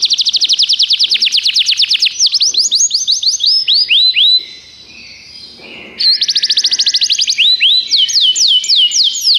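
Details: Belgian canary, a tutor (professor) bird, singing steadily: loud rolling trills of rapid high whistled notes, some swooping down, broken by a short quiet pause before the rapid trilling resumes.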